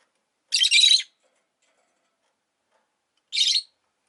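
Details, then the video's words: Two raspy, buzzing chatter bursts from a pet rosy-faced lovebird, the first about half a second long, the second shorter, with silence between. "Lovebird Chirping Sounds"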